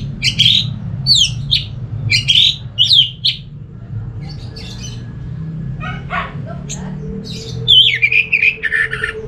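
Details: Orange-headed thrush from Singaraja, Bali, used as sound therapy to make other thrushes sing: a run of five or six sharp, bright whistled phrases, quieter scattered notes, then a wavering, twittering phrase over low rumble.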